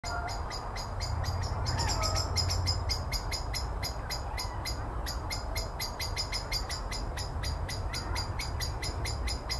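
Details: A common blackbird scolds a tawny owl perched in a tree and makes close fly-bys at it, giving sharp, hard chinking notes about three or four a second over a steady low background rumble.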